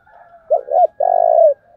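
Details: One phrase from a spotted dove decoy meant to draw in wild birds: brief double hoot, then a long, low, steady coo; a faint distant cooing hums underneath.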